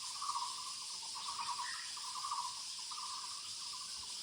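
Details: Muller's barbet calling in woodland: overlapping low, pulsing rattled notes forming a near-continuous series, with a persistent high insect chorus behind.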